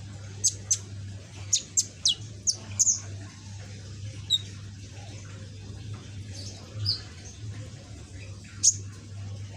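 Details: Young pet sunbird, green with red back, learning to sing: a series of sharp high chips spaced irregularly, bunched early, then sparse, with a steady low electrical hum.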